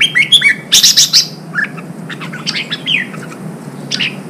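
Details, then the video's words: Red-whiskered bulbul newly caught from the wild, being stimulated to sing for contest training: short whistled phrases and a loud cluster of sharp high chirps early on, followed by softer, sparser rising and falling notes. "Kích chào mào bổi hót, kích bổi sổ giọng, luyện chào mào hót đấu"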